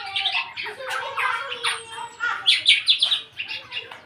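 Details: Young black-naped oriole, aged eight months, starting to sing fully: a mix of slurred whistles and harsh chattering notes, ending in a quick series of sharp, evenly repeated high calls.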